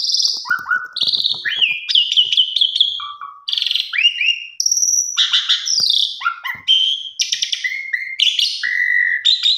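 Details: Lure recording of a pied myna in full song, meant to make silent mynas start singing: a continuous jumble of high whistles, upslurred squeaks, scratchy rattles and short low whistled phrases, densely packed.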